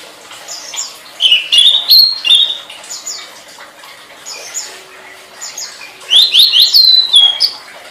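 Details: Tledekan singing for use as a master recording to train songbirds: two bursts of quick, sharp, twittering notes sweeping through high rising and falling slurs, each phrase lasting about a second, separated by quieter pauses.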